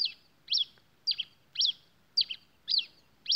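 A Pileated Finch repeats a sharp, high chirping note about twice a second, each note a quick bright burst with a slight double inflection, against a quiet background.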